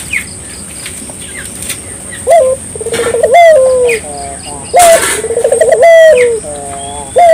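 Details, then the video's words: Barbary dove in lively song meant to stimulate local doves to sing: after scattered small chirps, two phrases each open with a sharp clipped note, then a rapid rolling, pulsing coo, and end in a long falling tone. A steady high whine runs throughout. "suara burung puter gacor,merangsang burung puter lokal ikut gacor"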